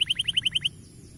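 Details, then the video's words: Short burst of canary song meant to spur young canaries into singing: eight quick, bright, slightly rising chirps in a rapid even trill, then a hush. "Cuitan Burung Kenari Memberi Semangat Kenari Paud Untuk Gacor Dor"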